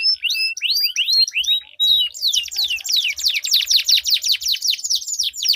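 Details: Canary song duel with extended rolls, meant to encourage silent canaries: curved rising notes and a brief pure whistle, then a fast cascade of downward sweeps pulsing several times a second.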